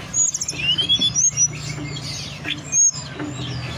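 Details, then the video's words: Mountain forktail song used as a lure to get birds singing and into breeding condition: thin high whistled notes, a rising sweep and short rapid chirps in quick bursts, over a steady low hum. "pancingan suara tledekan gunung"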